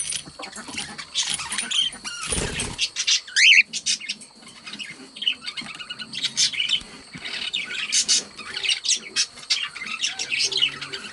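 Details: Two pet budgerigars chirping and chattering indoors: a busy stream of scratchy, warbling chirps and short squeaks, with one clear rising whistle, rising and falling in loudness throughout.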